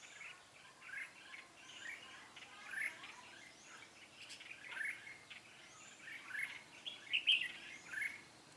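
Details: Red-whiskered bulbul during trapping on 13 March 2017: several chirpy, slurred whistled phrases every second or two, building to a louder burst near the end, with other faint bird notes and a low hiss.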